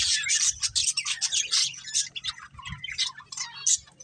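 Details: Breeding pair of budgerigars chattering loudly: quick bright chirps and harsh squawks about three per second, irregular, high and scratchy, over a low background hum.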